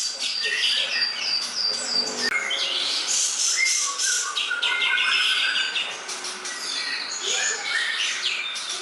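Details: Masteran tutor recording of greater green leafbird singing: a busy stream of clear whistles, downslurred notes and sharp chips, many overlapping and tightly packed, loud and steady for the whole stretch.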